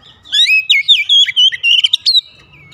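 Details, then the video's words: White-rumped shama in the morning delivering one continuous phrase of rich, rapid whistles and chattering notes, rising and falling, lasting about two seconds. "OCEHAN KACER DI PAGI HARI"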